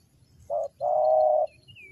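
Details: A single spotted dove phrase used to lure wild birds: a brief low coo, then a longer, sustained rolling coo. Low background hum and a faint high whistle from another bird.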